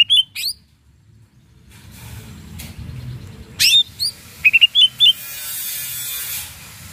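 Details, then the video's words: Greater green leafbird in full song meant to stir up rivals: short clusters of quick whistled slurs and clicks, with a rapid run of similar notes near the end, then a soft hiss. "cucak ijo gacor RANGSANG LAWAN Bikin ijo bahan IKUT NYAUT EMOSI"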